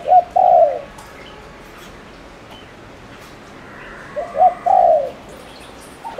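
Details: Decoy spotted dove from Ninh Thuận, Vietnam, cooing to provoke males: two phrases roughly four seconds apart, short rising notes running into a strong, slightly falling coo, with quiet between.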